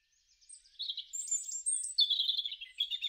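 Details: European robin singing in a garden in spring, March to April 2013: thin, high warbled phrases with short trills, jumping between higher and lower pitches across three seconds, with no other clear sounds.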